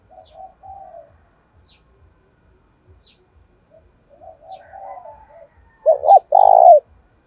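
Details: Spotted dove in a thổ-style voice, used to provoke wild doves to fight and draw them in. Quiet, low murmuring coos lead into one loud phrase of two clipped notes and a long, rolling coo at the end.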